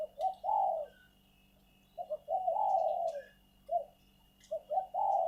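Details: Spotted dove kept as a ground decoy bird, to be bred before use as a decoy, giving low hoarse cooing phrases: two or three short notes followed by a long drawn-out coo, repeated three times about every two seconds, against a faint steady hum.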